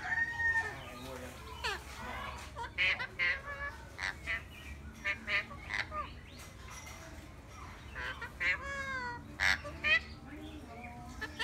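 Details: Eclectus parrot chattering steadily, with repeated short nasal squawks and honks spaced irregularly about twice a second, mixed with a few brief clear whistled notes.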